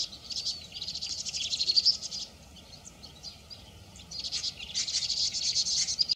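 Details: A pair of vinous-throated parrotbills during the mating season giving high, rapid chattering twitters in two dense bursts, with a brief quiet gap in the middle.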